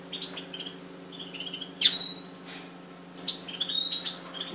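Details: Kept European goldfinches recorded 30 June 2013, giving scattered high, thin chirps and twittering notes, with two louder, sharper, buzzier bursts near the middle and end, over a steady low electrical hum.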